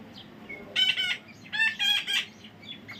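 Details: Baby parrot letting out two clusters of raspy, strident screeches, each made of several quick harsh notes, separated by a short pause, with a soft low hum underneath.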